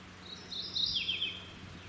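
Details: Male Mourning Warbler singing 20–25 ft up in a forest tree at a sanctuary where one pair nests yearly, in summer, probably still seeking a female: quick rich two-part song, high rolling phrase then lower falling one.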